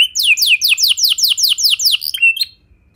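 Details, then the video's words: Canary song played to get other canaries singing: about ten loud descending whistled sweeps in quick succession, a few chirps, then quiet. "Pancingan Suara Burung Kenari Lagu Unik! Buat Kenari Mana Saja Pasti Ikut Bunyi"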